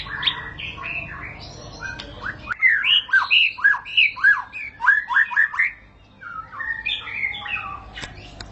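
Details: White-rumped shama, ngerol panjang long rolling song: after scattered chips over background hiss, a loud burst of crisp repeated downslurred whistles, roughly three a second, then a brief pause and softer varied notes.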